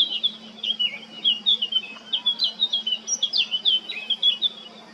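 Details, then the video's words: Song of a male blackcap recorded 20 July 2022 in Baška, Krk, Croatia: a continuous, fast, chattering warble of high twisting notes. A faint low drone sits underneath. "Crnokapa grmuša, mužjak (Sylvia atricapilla)(Birds of Croatia- Blackcap, male)"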